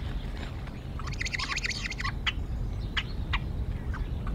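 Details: At a wild Decorah nest, a female bald eagle challenges her mate beak to beak early in the morning; about a second of rapid, repeated sharp notes, then a few isolated calls over steady background noise.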